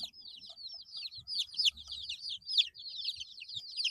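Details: Young chicks, 8 days old, call in a steady stream of high falling peeps, some notes louder and piercing, over a soft low rumble of movement.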